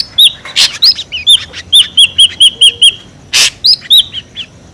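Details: Ashy drongo calling as a trapping lure: clear arched whistles in a fast run, broken by two loud harsh bursts.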